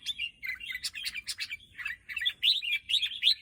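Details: Red-whiskered bulbul singing a lively run of short, bubbly chirped notes, rising and falling quickly with brief pauses between phrases; faint low rumble beneath.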